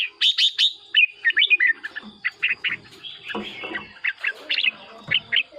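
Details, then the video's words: Red-whiskered bulbul kept in a cage, its song played to stir other birds: a busy run of chirpy whistled notes, some buzzy and harsh, delivered rapidly with short gaps throughout. "เสียงนกกรงหัวจุก สำหรับต่อ หรือ เปิดให้นกคึก เสียงเพราะๆ"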